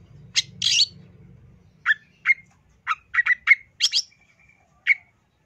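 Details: Long-tailed shrike (cendet) masteran song with full isian, 2023: a short whistled slur, then sharp separate chips near the middle pitch, about eight notes with gaps, one thin level whistle, faint low hum early.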